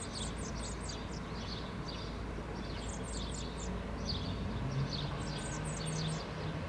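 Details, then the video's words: Common Blackbird (Turdus merula) fledgling following its parent on the ground, Helsinki, Finland, June 2013: bursts of thin, high chirps, several quick notes with pauses, over steady low traffic rumble. "Interaction between Blackbird fledgling and parent"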